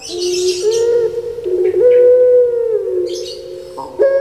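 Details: Captive puter pelung turtle dove from Java, Indonesia, holding a smooth low coo that steps up and sustains before sliding down, with a rough hiss at the start.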